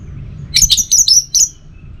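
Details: Orange-headed thrush song: a quick burst of four or five very high, sharp chirped notes within one second, with a steady low hum behind.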